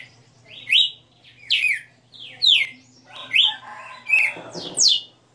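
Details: A red-cowled cardinal sings live in a 60-note song: loud, clear whistled phrases, each sliding down from high to mid pitch, about one a second, with a faint low hum behind.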